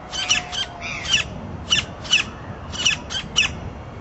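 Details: Campo flicker (Colaptes campestris) in Parque da Cidade, Brasília, Brazil, giving harsh, scratchy squawks, often in quick pairs, repeated about every half second to second against a quiet background.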